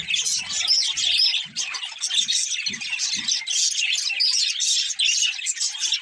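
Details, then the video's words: A group of happy budgies singing and playing, giving a lively, unbroken stream of high twitters, short clear whistles and buzzy chirrups, with a few soft low thumps early on. "Budgies Chirping Sounds | Happy Parakeets Sing and Playing"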